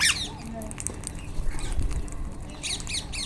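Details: Indian ringneck parakeets in the wild: one sharp squawk at the start, then quieter chatter, and a run of three harsh squawks at the end.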